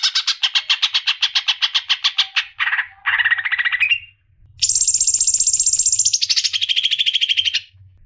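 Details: Greater green leafbird (Chloropsis sonnerati), call: female calling the male.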